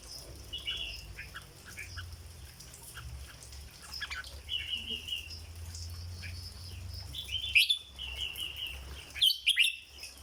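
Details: Red-whiskered bulbul kept in a cage, singing 'dok' style song: short sweet whistled notes and a held phrase, then two loud bright warbled bursts late on, with other small birds and a constant high whine behind.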